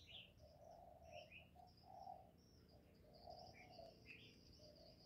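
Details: Thổ-voiced spotted dove call used to rouse male doves: mellow low coos in a steady series, overlaid by scattered bright chirps and whistles from other birds.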